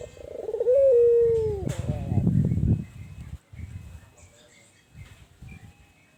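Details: One rising-then-level coo from a tame albino ringneck dove in a hot spot, drooping as it ends, followed by low thumping and rustling noises and near quiet.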